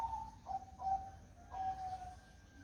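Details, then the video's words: Foggy-morning song of a zebra dove: a few clear, mellow cooing notes in quick steps, each dropping slightly in pitch, with a short pause before a final drawn-out coo over low rumbling background. "Suara Burung Perkutut di Pagi Hari Berkabut"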